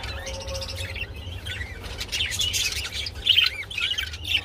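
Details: Budgerigars while mating keep up a busy warbling chatter of buzzy chirps and short whistles over a low hum.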